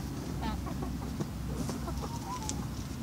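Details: Several Australorp and Barred Rock hens eating moistened feed in the evening give soft, quiet clucks and a brief whistled trill near the end, over a constant low droning background.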